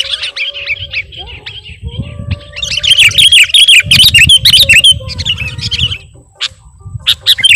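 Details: Sooty-headed bulbul calling for a bird-luring recording: busy, overlapping chatter of bright chirps that swells into a loud bubbly run, fades, then resumes with a few sharp notes, over steady low rumble.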